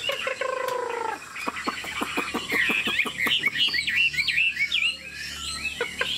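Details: Chinese Hwamei, a tame cage bird displaying its wings and nodding while it sings: a low steady tone at the start gives way to a rapid series of clicks, then looping whistled phrases and warbles.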